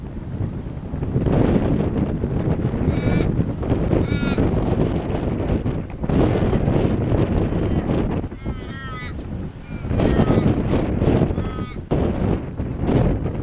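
Umbrella cockatoo giving harsh, squawking calls in short bursts every second or two, set against a heavy rumble of wind.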